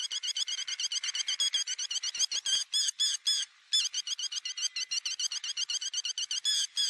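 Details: Lapwing lure call for bird netting: a rapid, continuous stream of short, sharp, high notes repeated about four times a second. There is one brief break midway.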